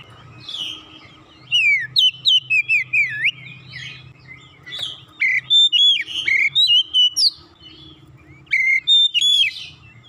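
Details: After being lured once, a previously silent Oriental magpie-robin (kacer) sings gacor: rapid runs of whistled notes with zigzag slurs, around four phrases per second in bursts, pausing between; low hum in the background.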